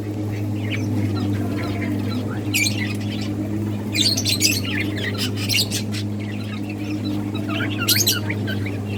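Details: Several budgies at play in a breeding setup give bursts of bright, rapidly warbled chirps and squawky notes in irregular clusters, over a constant low droning hum.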